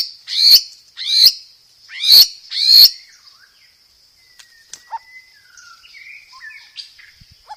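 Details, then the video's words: White-rumped shama master song for training cage birds, packed with varied filler phrases: four loud, sweeping, chirpy bursts in the first three seconds, then quiet scattered whistles and short notes, over a steady thin high whine. "Masteran Burung Murai Batu"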